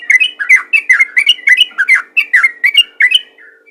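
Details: Yellow-vented bulbul 'ropel ngalas' calling, used to draw other bulbuls: a lively series of bubbly, slurred two-part notes, roughly four per second, with a low steady hum underneath.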